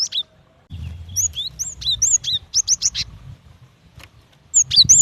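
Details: Female cinereous tit calling for the male, giving a lively string of high, sharp chirps and swooping whistles, some in rapid triplets, with a short pause before a final burst; soft low background noise.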